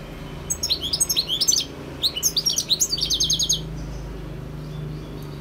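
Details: A wild European goldfinch sings quick, liquid twittering phrases of bright, tinkling notes in two bursts, ending with a fast rattling trill, over a faint low hum.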